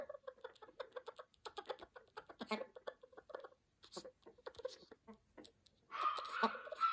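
An Amazon parrot chatters in a run of quick, speech-like phrases for about six seconds, then breaks into a harsh, loud squawk at the end.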